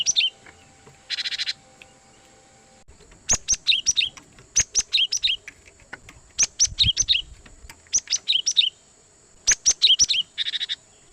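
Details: High, crisp chirp series from a cinereous tit used to draw in wild birds for trapping, delivered in repeated tight bursts of slurred notes over a faint low background.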